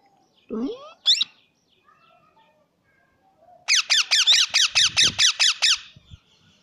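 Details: Pet plum-headed parakeet: a few squeaky notes, then a rapid series of about ten shrill, descending chirps, roughly two per second, in a quiet room.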